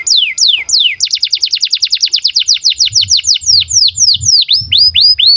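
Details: Canary song in breeding condition, used to train young canaries: three falling whistled notes, then a quick trill of descending notes that gradually slows into spaced looping whistles, with faint low rumbling underneath.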